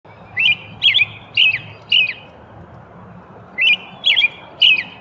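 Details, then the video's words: In early spring, a robin sings short, bright chirped phrases with downward twists: four in quick succession, a pause, then three more, over a faint low rumble. "Robin singing his heart out"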